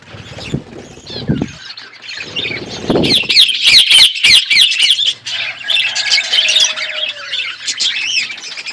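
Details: Outdoor aviary of budgies: soft low thumps at first, then a loud burst of rapid chattering chirps and wavering whistled notes from several birds, easing toward the end.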